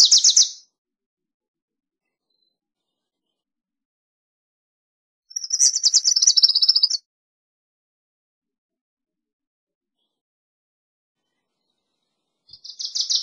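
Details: Three bursts of Wilson's warbler song, each a fast string of sharp chips repeated about four per second, separated by long silent gaps; the middle burst is fuller and slightly falling in pitch.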